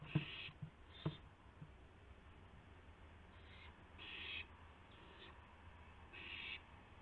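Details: Owls at 2:51 AM, April 2, 2016, with a gopher being brought from one to the other: knocks and a hiss open the passage, followed by several scattered breathy screeches of varying length.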